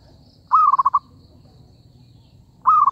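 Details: Zebra dove calling to lure birds into a trap, two quick phrases two seconds apart, each starting with a clear note and breaking into a fast staccato string of rolling coos.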